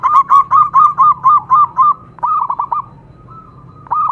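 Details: Local zebra dove singing: eight even, fluty hoots in a steady rhythm, then a couple of longer drawn-out notes and a faint trailing coo.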